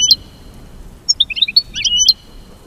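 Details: American goldfinch singing: a thin, high twitter of short sharp chirps and brief slurred notes, scattered in a loose cluster after a lone opening chip, over quiet background hiss.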